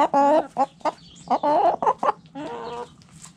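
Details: Backyard coop hens give loud, nasal, drawn-out cackles and short clucks in a rapid irregular sequence, each call strongly harmonic.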